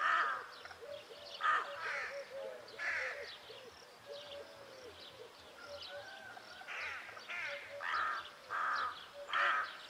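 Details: Rook calls: irregular harsh caws and croaks, some overlapping as if from several birds, with softer chattering notes between and a faint low hum in the background.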